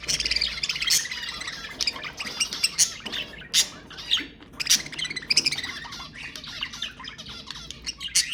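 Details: Budgerigars chattering, with sound meant to stimulate mating: dense, continuous high warbling broken by sharp chirps and squawky bursts, with several louder peaks throughout.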